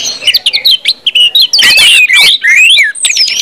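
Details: Brief stretch of orange-headed thrush 'ngeplong' singing used to coax other birds into song; stuttering chirps give way to long sweeping whistles, some rising, one falling high at the end.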